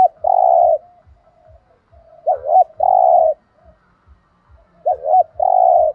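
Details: 'Thúc gù' song of a spotted dove in the 'thổ đồng' voice: a long steady coo opens, followed by two full phrases of paired short hooked notes leading into a drawn-out low hum, over soft steady clicking.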